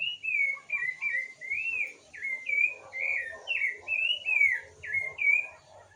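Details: Singing bird giving a steady run of clear whistled notes, each slurred downward or arching, repeated about twice a second with brief gaps.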